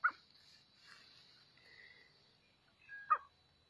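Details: A black quail gives two short, sharp, squeaky calls about three seconds apart, with faint chirping in between.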